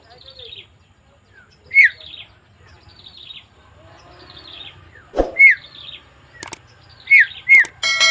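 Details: Javan myna on 20 May 2024: a soft, scratchy chattering broken by sharp whistled down-slurs. The loudest come near 1.8, 5.4, 7.1 and 7.5 seconds, alongside a couple of abrupt clicks.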